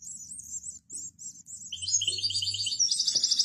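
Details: High, rapid chirps from a breeder's group of young European goldfinches build into layered buzzy trills. The clip ends with a fast, bright, evenly repeated trill. A faint low hum is heard throughout.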